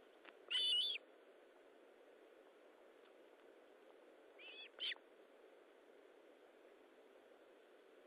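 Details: Osprey calling at the nest while feeding, 19 July 2012, 9:43: one strong whistled note, then after a long gap a softer pair of short whistles, with steady hiss between.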